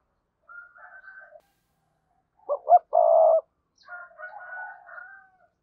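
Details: Spotted dove kept as a decoy, calling to provoke other birds to coo: faint, low murmuring, then two quick rising notes and a loud sustained coo, followed by softer wavering tones.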